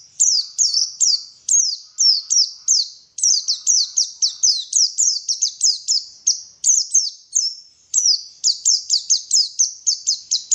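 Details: {'caption': 'White-eye song: a rapid stream of high, thin, sweet notes, each sliding sharply downward. The notes come in quick bursts with brief pauses, continuing steadily without other sounds.'}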